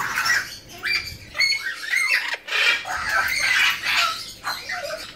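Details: Harsh, buzzy squawks repeated in dense bursts from a captive pair of hand-reared blue-winged macaws, female and male born in 2017.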